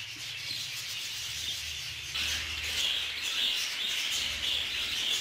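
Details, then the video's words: Budgerigars kept together in a group aviary during a real clash, a dense, continuous chatter of high chirps and warbles, getting louder after two seconds, with faint low hum beneath. "اشتباك حقيقي بين طيور البادجي"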